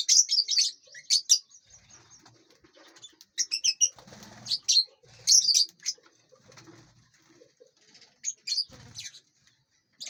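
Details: Aviary lovebirds eating seeds, fruit and vegetables and flying about; clusters of shrill, high chirps scattered through the stretch, mixed with wingbeats and low rustling noises.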